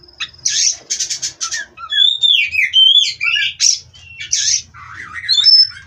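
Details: A rapid stuttering trill from a caged Oriental magpie-robin leads into sliding whistles, harsh bursts and a wavering warble, with a low background hum throughout.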